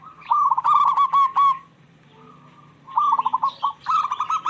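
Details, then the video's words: Zebra doves of local stock answering one another, used to coax silent birds. A quick burst of purring coo notes, a quiet pause, then two further stuttering rolling phrases. "Suara perkutut lokal gacor bersautan paling cocok pancingan perkutut lagi stress"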